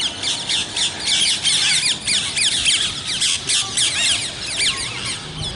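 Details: Raucous parrot squawks, harsh and buzzy with sweeping inflections, delivered in a dense overlapping stream of several birds.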